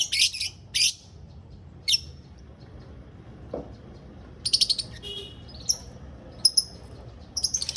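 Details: Lovebirds in a small aviary: scattered bursts of shrill high chirps and squeaky chatter separated by quiet gaps, with one brief lower squawk.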